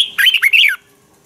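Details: Red-whiskered bulbul in competitive fighting song, used for training birds: one rich, rapid phrase of slurred whistled notes rising and falling, loud and close, ending abruptly.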